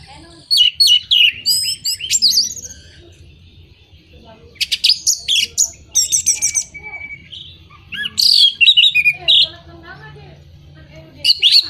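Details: Orange-headed thrush song intended to stimulate birds that are moulting or not in breeding condition: several bursts of rich, varied warbling with quick chirps, trills and one sustained level whistle, separated by short pauses over a low background hum.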